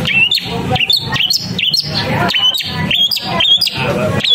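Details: Long-tailed shrike giving a run of high, sharp whistled notes with brief upslurs, spaced about half a second apart, interleaved with scratchy chatter against a noisy low-pitched background.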